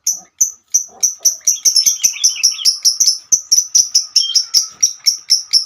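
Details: Lovebird hen delivering a continuous 'ngekek' trill. Piercing high chirps repeat about four times a second without a break, with faint lower twittering notes woven between them.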